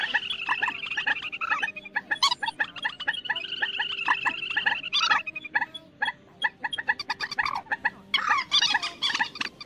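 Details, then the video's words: Waterhens calling loudly, played as a night net-trapping lure in the August 2024 migration season in Vietnam: harsh repeated croaks and squawks in rapid overlapping bursts from several birds, mid-pitched and restless, over a faint steady hum. "Tiếng Quốc Mốc , Trích Ré"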